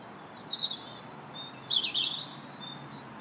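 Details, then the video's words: Robin singing in a park in early March, 2 March: one rich phrase of high, thin, warbling notes sliding up and down, then a quieter bird giving short repeated notes in the background. "Robin Singing in the Park March 2nd"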